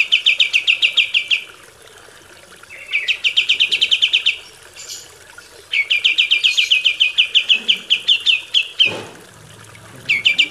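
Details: Recorded to train caged birds, kapas tembak song comes as repeated fast trills of high, sharp chips, some several seconds long, separated by brief pauses, with a soft thud near the end.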